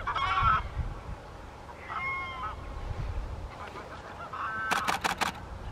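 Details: White-fronted Geese wintering at Wimpole Hall, Cambridgeshire, December 2020, giving several spaced, laughing honks and yelps in a few bursts, with low rumbling noise beneath.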